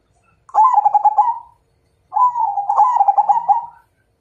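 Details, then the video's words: ['Zebra dove of the Majapahit type, a perkutut singing a challenge to fight: two bursts of rapid, bubbling, pulsed cooing, each about a second long and separated by a short silence.'] "Suara Perkutut MAJAPAHIT Ngajak Tarung"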